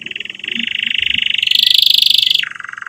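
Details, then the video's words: Canary song for training young canaries and restarting birds that stopped singing: one continuous, rapid buzzy trill that climbs gradually in pitch, then drops abruptly to a lower roll near the end. "Kenari Gacor Cuit Cuit EMOSI"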